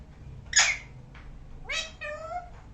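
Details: A parrot making different sounds: a harsh, sharp squawk, a short faint note, then a rising screechy call running into a drawn-out, meow-like nasal cry.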